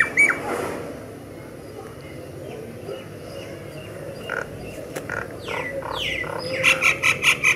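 A myna gives a varied song of harsh notes, downward-sliding whistles and a closing run of four quick chirps over steady background hiss.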